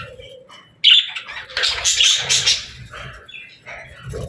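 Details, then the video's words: Parakeets at play, a few soft chirps, then a sudden loud burst of harsh, buzzy chatter and squeaks fading into quieter high chirping. "Parakeets Playing, Singing & Talking | Relaxing Chirping Sounds"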